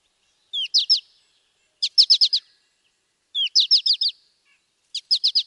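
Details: Wisconsin American goldfinch giving short high phrases of three or four crisp, descending chips, each often led by a slurred note, repeated about every one and a half seconds with gaps between.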